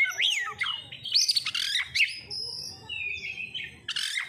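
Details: Oriental magpie-robin (kacer) song used as a lure to set birds singing: a rapid, varied run of sharp whistled notes, rising and falling slides and high chirps, with a brief pause before a final bright burst.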